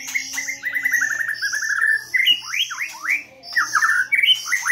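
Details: Lure song of a white-rumped shama: a quick run of repeated chipping notes gives way to loud swooping whistles rising and falling, then further high, varied phrases.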